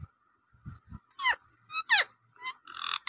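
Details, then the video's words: Native rose-ringed parakeet, kept as a talking pet, giving a few loud harsh screeches with steep falling harmonics in the second half, after soft low thumps at the start. "টিয়া পাখির নানা রকমের আওয়াজ"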